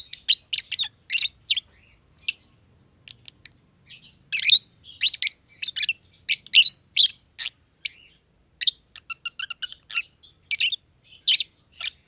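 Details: Two masked lovebirds, a green personata under a year old and a green pied personata kept since early 2020, chirping while playing together in an aviary; sharp, harsh chirps in quick bursts with short pauses, then a run of rapid clicking notes.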